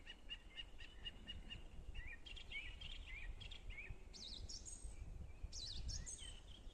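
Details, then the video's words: On a forest bog, one bird repeats a short paired note steadily for two seconds. Others follow with looping, zigzag whistled phrases, all over a low, soft background rumble. "Пение птиц на лесном болоте"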